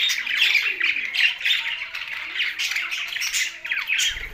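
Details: Budgerigars sharing space with a parrot in Larkana, Sindh, chattering constantly: a busy stream of rapid high chirps and squeaky warbles, with a faint low coo early on.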